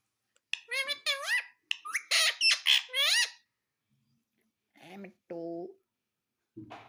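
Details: Pet parrot talking indoors: a rapid run of high, squeaky, bending syllables for about three seconds, followed by a lower human voice speaking briefly.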